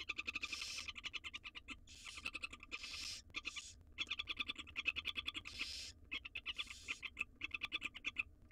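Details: Barn owl chicks in a wild nest box begging during a feed of a jird brought by their mother; repeated rough hissing screeches, each under a second, alternate with rapid tapping and scratching.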